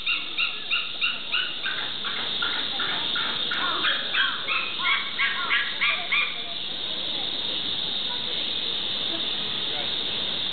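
Barred eagle-owl giving a run of about thirteen nasal, harmonic yelps, roughly three a second, for six seconds, then quiet over a steady background hiss.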